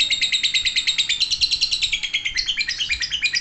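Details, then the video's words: Ngekek from a lovebird, a long high, rapid chatter: evenly pulsed buzzy notes, about five per second, flowing continuously with slight shifts in pitch and no breaks. "Cek - cek cer Lovebird langsung ngekek"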